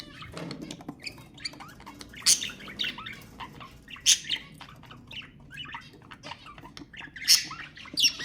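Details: Budgerigar twittering intended to stimulate budgies: continuous soft chirps and clicks with occasional loud, harsh squawks standing out, the strongest near the end.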